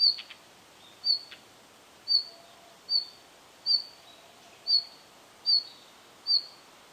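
A red-flanked bluetail gives short, high, clipped whistled notes, repeated roughly once a second against a quiet outdoor hiss.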